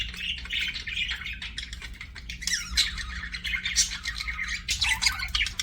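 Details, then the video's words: Budgie chirping, slightly softer: steady scratchy warbling and twittering squeaks flow without pause, a few brighter whistled notes standing out, with low humming noise in the background. "BUDGIE CHIRPING SOUNDS"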